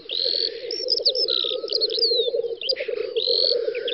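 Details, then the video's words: Black grouse lek on a spring field, western Russia, 9-10 May 2019. Dense low bubbling from the displaying birds underlies short hissing rushes and a scatter of high, thin whistles and chirps from other birds. "Тетерев-косач токует"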